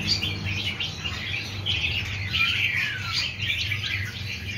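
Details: Several newly trapped red-whiskered bulbuls held in cages give a steady mass of high twittering and chirps, including a long falling whistled note midway, against a noticeable low rumbling hum.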